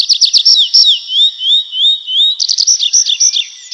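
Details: Night-time nightingale song in woodland: a few sharp clicking notes, then a run of smooth upward-slurred whistles, ending in choppy, bubbling notes.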